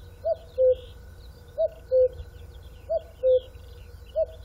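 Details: Repeated cuckoo call: a short higher note followed by a longer lower one, pairs spaced about 1.3 seconds apart, with distant twittering birds.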